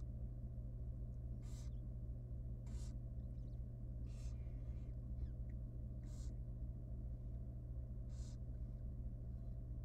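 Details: Wild barn owl nestling, very small and young, at feeding time in a nest box: five breathy snoring hisses spaced about a second apart, with faint scuffling in between and a continuous low hum.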